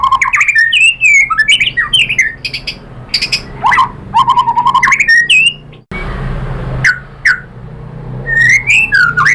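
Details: Lure song of a white-rumped shama to make another bird answer, made of varied whistled phrases with lower warbled notes and harsh chips, followed after a short gap by sparse rising whistles.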